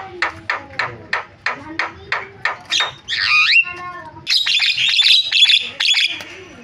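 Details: Javan myna varied song opening with about nine evenly spaced sharp clicking notes, then a swooping downward whistle and a dense run of high squeaky, buzzy chatter.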